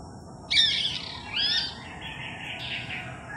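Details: A blue rose-ringed parakeet, the only blue one among a local green flock, gives harsh, rasping screeches on July 9, 2021: two loud bursts, then softer, high, uneven chattering. The owner suspects it is a recently escaped pet, harassed by the green parakeets.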